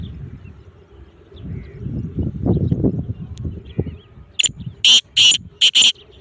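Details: Black francolin calling from the top of a rock: a few loud, harsh, broadband notes come in quick bursts near the end. They follow a quieter stretch of low rumbling background noise.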